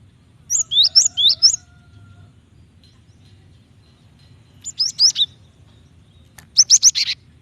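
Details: Female Java sparrow calling the male to trigger his song: a quick string of high, down-slurred chirps, then after a pause two shorter bursts of sharp clipped notes.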